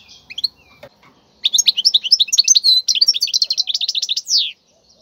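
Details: Wild European goldfinch song, meant for teaching young goldfinches to sing: a few scattered chirps, then a fast run of bright, tinkling twitters and trills for about three seconds, ending on a drawn-out buzzy note.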